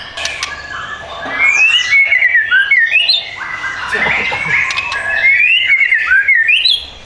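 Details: Caged white-rumped shama offered for sale sings rich, rolling whistled phrases with upward slurs and quick twittering flourishes, repeated in a steady stream with only brief gaps.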